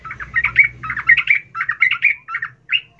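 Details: Female sooty-headed bulbul calling the male, an excited chatter used as a lure: short bubbly phrases of quick warbled chirps, about five phrases with brief gaps, ending in clipped single notes.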